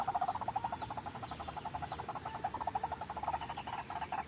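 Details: Trapping lure of white-breasted waterhen: a continuous stream of rapid, throaty pulses repeated several times a second, steady in pitch, over faint background hiss.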